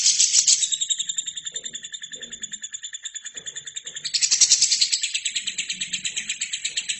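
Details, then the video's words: Lovebird in continuous song, made as a training recording for other birds: a loud raspy trill at first, softening to steady rapid high pulses, then surging loud again, with faint low murmurs. "LOVERBIRD GACOR!!!"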